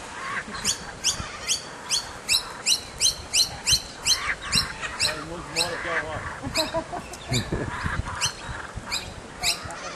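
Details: Young kookaburra making its presence known as the family is fed: a fast series of sharp, harsh, clipped squawks, close to three a second at first, then slowing and growing uneven.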